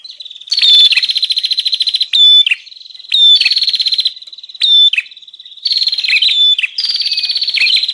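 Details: Bar-winged prinia lure call, played to attract wild prinias: loud, harsh, rapidly pulsed buzzy bursts, each about a second long, broken by short gaps and sharp high chips, high-pitched throughout.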